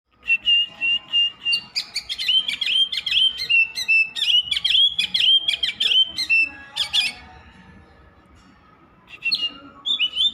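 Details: Oriental magpie-robin singing nonstop, a rapid run of clear, varied whistles and sharp chips with some sliding notes, pausing for about two seconds near the end before resuming with a few more whistled phrases.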